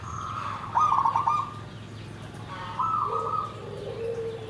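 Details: Zebra dove in the nggandem gedhe garing song style gives two quick trilled coo phrases about two seconds apart. A softer, lower drawn-out cooing follows near the end.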